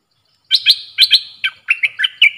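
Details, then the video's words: Stripe-throated bulbul lure recording for bird trapping, dated 10 October 2021: quick bubbly warbled phrases of short slurred notes, rising then dropping, in bursts of two over about two seconds, with a clean, quiet background. "Suara pikat merbah lekir"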